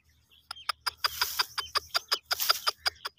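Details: Wild partridge (teetar) in jungle, calling in a rapid run of about fifteen harsh, clucking notes, each sharp and loud, spaced roughly a fifth of a second apart, over a faint low steady hum.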